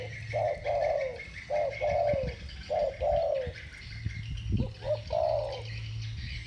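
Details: Spotted doves of the thổ bầu singing style dueling: paired mellow coos, a brief note followed by a drawn-out descending one, in uneven bursts, over a steady low hum, a thin high buzzing tone and a few knocks.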